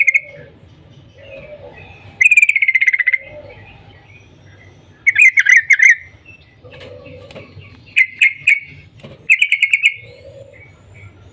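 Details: Yellow-vented bulbul's morning call, used to get other bulbuls singing: several bursts of fast pulsed chattering notes spaced by pauses, with softer lower warbling notes between bursts.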